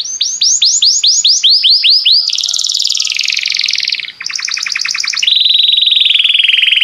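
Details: Song of a Belgian canary, played to make other canaries sing: a string of rising whistled notes, then a broad buzzy trill, a sharply pulsed rattle, and a steady, lower rolling trill to finish.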